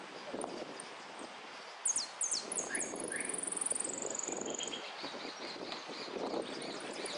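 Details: Competition saffron finch singing repique: after quiet murmur, four loud falling high sweeps lead into a rapid, very high, even trill lasting about two seconds and slowly dropping in pitch, then murmur and rustling resume.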